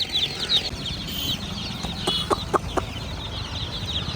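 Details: High chirping of many baby chicks, rapid downslurred peeps overlapping, broken by a few sharp clicks in the middle and a low steady hum.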